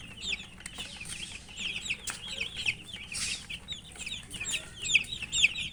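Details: Several chicken chicks peeping as they eat; overlapping high, falling chirps over a hissy background, with occasional louder clicks and taps from feeding.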